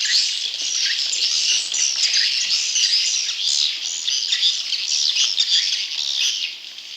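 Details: Swiftlet chick calls used to lure wild young swiftlets: a dense, unbroken chatter of many overlapping high, scratchy chirps and squeaks lasting the whole seven seconds, with small swells in loudness.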